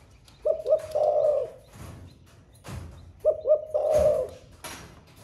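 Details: Spotted dove kept as a cage bird, singing a Thổ Pha style song: two low coo phrases, each a quick double note followed by a drawn-out rolling coo, with loud thuds and knocks in between.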